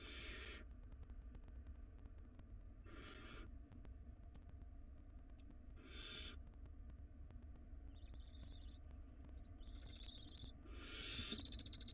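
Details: Barn owl chicks in a wild nest box squabble over a big rodent: spaced harsh hissing screeches, then a cluster of wavering tonal wheezes and a loud final hiss toward the end, steady low hum beneath.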